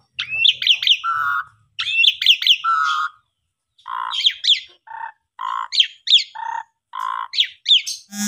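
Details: Asian pied starling song as a prompt for silent birds: chattering phrases with rising whistles and low steady tones, later shifting to shorter alternating bursts of lower notes and high whistles, ending in a harsh squawk.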